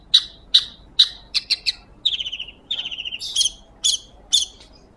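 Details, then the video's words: Long-tailed shrike in full song, recorded as training audio for magpie-robins: separate sharp high chips about every half second, buzzy downslurred notes in the middle, then bright scratchy phrases near the end. "PENTET GACOR,,SUARA JERNIH COCOK BUAT MASTERAN BURUNG MURAI BATU"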